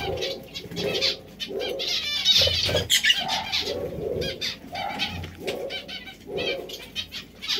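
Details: Several zebra finches calling: nasal, honking notes repeated at an irregular pace, overlapping with thin high chirps and a faint low coo at times.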